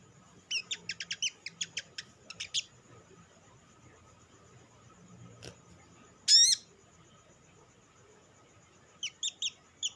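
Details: Lure calling from an olive-backed sunbird (sogok ontong), used to stir other sunbirds into song: a quick burst of high, sharp chips, a louder note midway, then a few more chips near the end.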